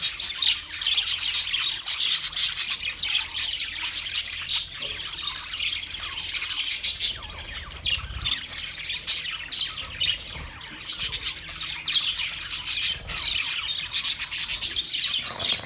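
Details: Budgerigars, twenty pairs kept together, fill the air with steady high-pitched twittering and scratchy squawks, many birds calling over one another without a break.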